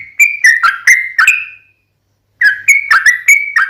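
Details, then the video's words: Sooty-headed bulbul (trucukan) in lively lure song, fighting style with long rapid runs, used to make other bulbuls answer: a quick burst of bubbly whistled notes, a pause of about a second, then another burst. "SUARA trucukan gacor RAJA PIKAT tarung ropel panjang"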